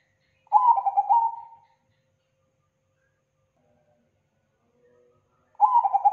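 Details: Zebra dove lure call, billed as thick, loud and clean: one full bubbling coo phrase of rapid pulsed notes that ends in a fading hum. After a long quiet gap, the start of a second phrase is heard.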